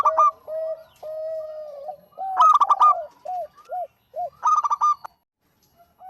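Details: Zebra dove of local stock in full song, mixing drawn-out low coos with two quick bursts of four or five staccato ringing notes, separated by short clipped hoots and a brief silence near the end.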